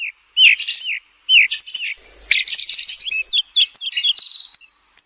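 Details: Thrush song, described as sung by day and night: varied phrases of clear whistled notes mixed with rapid, scratchy, high twittering, delivered in bursts with short pauses.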